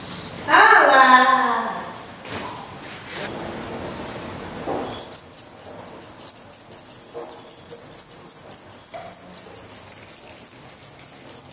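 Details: Black redstart chicks in a nest in Portugal, 16 May 2020, eyes newly open, fed worms, spiders and a grasshopper; a low harmonic sound opens, then high thin hissing begging calls pour out rapidly and continuously.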